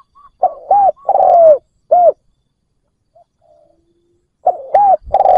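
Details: Decoy spotted dove cooing to lure wild doves: short hooked note followed by a longer note that falls slightly at the end. Phrases are given in bursts separated by a pause of about two and a half seconds.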